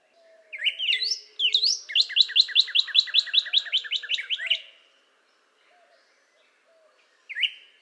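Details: One long northern cardinal phrase of rising whistles flowing into rapid repeated notes over a faint low hum, then a single upslurred whistle.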